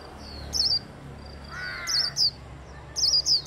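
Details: Líu-style song of a hand-held Japanese white-eye, used to stimulate singing: short high twittering bursts roughly every second, with a brief lower harsh sound in between.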